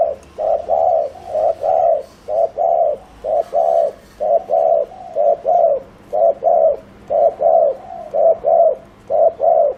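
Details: Spotted dove decoy delivering rapid 'gù' cooing to lure wild doves, a very regular chain of loud mellow double coos, about one per second, for the whole stretch.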